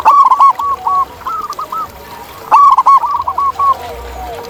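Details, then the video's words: Wild local zebra dove singing loudly: two phrases of quick, staccato, mellow cooing notes that rise and fall in a rolling pattern, with faint high chirps from other birds and background noise. "Masteran Kutut di Alam"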